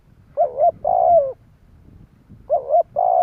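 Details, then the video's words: Spotted dove coo used to attract birds: a wavering double coo then a longer drawn-out falling note, repeated twice, over a light low background hum. "Tiếng chim cu gáy gọi bổi / Cu gáy gọi dùng Tập bổi nổi"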